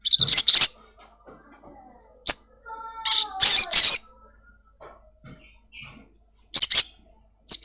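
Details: Home-kept Crimson sunbird (sogon) in full song, played as a lure to get kept birds calling fast: sharp high buzzy bursts spaced unevenly, a faint falling whistle in the middle, and quiet gaps between phrases.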